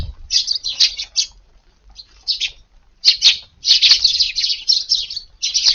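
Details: Eurasian tree sparrows calling at an early-morning garden feeding around 5:30 on a rainy morning, 2 August in Japan; bursts of high, dense chirping separated by short pauses.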